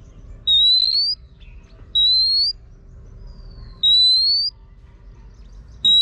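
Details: Female Oriental magpie-robin urging a male to sing, giving four long, clean whistles that slide upward, spaced roughly one and a half to two seconds apart, with faint low noise behind.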